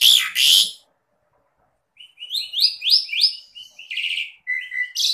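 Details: An Asian pied starling (jalak suren) on a training recording for song opens with two harsh, rasping bursts. After a pause it gives a run of bright, rising whistles and a buzzy chatter.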